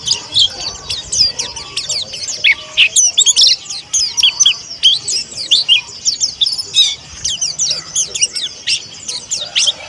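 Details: Indonesian white-eye of the pleci monty type, a young bird practising its song. A dense, fast run of high twittering chirps keeps going for the whole stretch with almost no pause.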